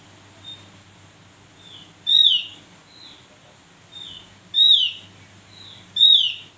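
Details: Javan grey-throated white-eye: three loud, clear whistled notes, each sliding downward, arrive about every two and a half seconds. Softer, shorter whistles fall between them over a faint low hum.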